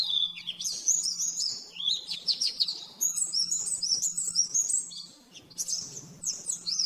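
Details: Oriental white-eye song as a nembak-nembak master for caged birds: bright, high warbling phrases in quick bursts separated by brief pauses, some notes rising sharply. A steady low hum runs beneath.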